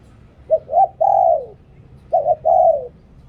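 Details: Dove used as a decoy, singing in the lui-tan song style: two short hooting notes, then a long smooth coo that slides downward, with the phrase given twice over quiet low hum.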